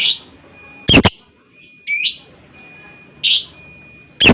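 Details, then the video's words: A lovebird alternates harsh broadband squawks with higher buzzy chirps, about one sound per second, over a faint steady tone and low background noise. "TIDAK BUTUH LAMA LOVEBIRD LAWAN LANGSUNG NGEKEK PANJANG,Gacor sepanjang hari dgn suara jitu lovebird"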